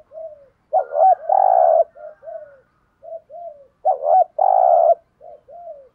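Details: Spotted dove cooing thúc gù style. Two full phrases, each a wavering lead-in and a long, rich coo, are framed by softer short downslurred coos before and after.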